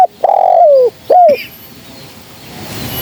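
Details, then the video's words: Spotted dove call used to lure birds for trapping, from a female: a long level coo falling at its end, followed by one shorter, sliding coo, then hiss. "Suara Burung Kicau TERKUKUR GACOR‼️Suara Yang Dimnati Pemikat Gacor Bersih Dan Jauh"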